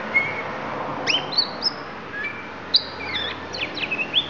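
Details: Oriental magpie-robin, Lampung variety from Indonesia, producing isian: clear piercing whistles, some held flat, some rising or dropping, with brief pauses between phrases over faint background hiss.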